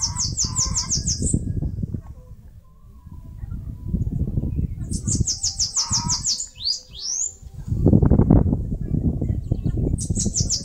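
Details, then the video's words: Bananaquit, locally chupa-caju or caga-sebo, singing and building a nest in a mandacaru cactus in Brazil's Northeast: repeated quick bursts of high buzzy notes with sharp rising slurs, three phrases, over heavy low rumbling noise. "CANTO do CAGA-SEBO (SIBITE, CHUPA CAJU..)"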